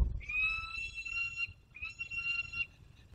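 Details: Wild peregrine falcon back from a hunt, Barycz Valley, Poland, 27 August 2022, giving two sustained, slightly rising nasal wails of about one and a half seconds each, separated by a brief pause, over faint low rumble.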